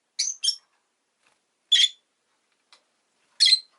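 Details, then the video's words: Rosy-faced lovebird (Agapornis roseicollis) chirps in short, harsh, shrill bursts: a quick double note, then single notes spaced over a second apart, with silence between. "Lovebird Chirping Sounds"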